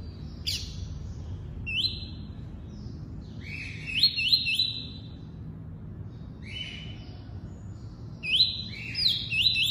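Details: Double-collared seedeater singing the tuí-tuí song type: clear whistled notes, some sliding downward, delivered in short bursts of two to four with pauses between, over a steady low background hum.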